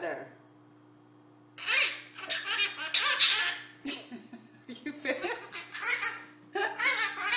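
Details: A pet male Hahn's macaw (red-shouldered macaw), described as on a roll and talking to whoever will listen, chatters in bursts of harsh, laugh-like mimicry and garbled speech after a quiet start, in a small indoor room, competing with the TV.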